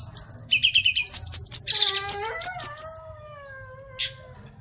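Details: Energetic song of an Indonesian hill blue flycatcher (sulingan gunung, or tledekan). A cascade of rapid high whistled notes and descending slurs gives way to long, fading lower whistles. A single sharp note comes near the end over a faint hum.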